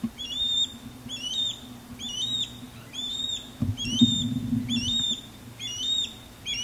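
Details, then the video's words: Osprey male performing a courtship sky dance low over a backyard, female calling from a longleaf pine: series of sharp, upslurred whistled chirps repeated about once per second, with low rumbling background noise. "Osprey Sky Dance And Mating Calls"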